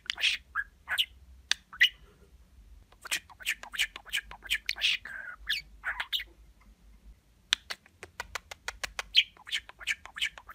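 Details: Pet budgerigar chattering in imitation of human speech and kisses: irregular raspy syllables and squeaks, a brief pause, then a rapid series of sharp clicking notes, recorded indoors.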